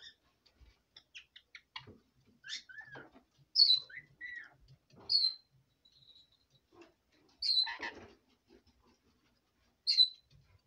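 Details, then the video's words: Female red lorikeet kept as a pet, chattering at bedtime: scattered soft clicks and burbled notes broken by four loud, sharp, descending squeaks spaced a few seconds apart. "Red Lorikeet Fiesta talking at bedtime"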